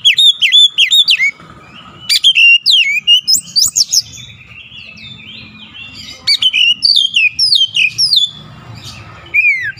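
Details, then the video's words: Oriental magpie-robin singing persistently through its full repertoire: rapid runs of loud whistles falling in pitch, interspersed with quieter twitters and brief pauses, over a faint low hum. "KACER NGOTOT BONGKAR ISIAN"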